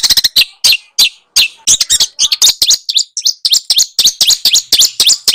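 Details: Small birds singing in a track used to push a white-rumped shama into energetic song; a busy stream of sharp, high, slurred chirps, closely packed and irregular, with brief pauses.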